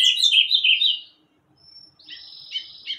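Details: Bananaquit finishing a fast, buzzy, high song phrase of tumbling squeaky notes, followed by a pause, a thin high whistle and softer buzzy trilling.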